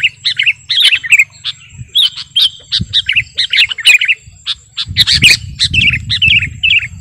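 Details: Sooty-headed bulbul ('kutilang garuda') song for master training or luring: quick chirped and slurred notes in short clusters, denser toward the end, over low background noise that swells later.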